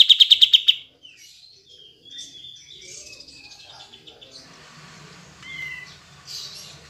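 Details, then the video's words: Kapas tembak bulbul song played to coax reluctant birds into singing: a quick burst of pulsed, buzzy notes near the start, then scattered thin whistles and soft warbling fragments. "Pancingan Kapas Tembak Macet / Malas Bunyi"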